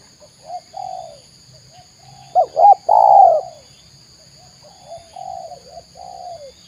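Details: Cooing of a spotted dove in Indonesia: soft low coos at first, then a louder burst of two quick notes and a long wavering falling coo, ending with several quieter drawn-out coos; faint steady whine behind.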